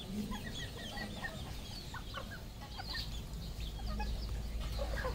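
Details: Cambodian farm flock of red junglefowl producing quick repeated high peeps and soft clucks, several birds overlapping, above a continuous low drone that grows louder toward the end.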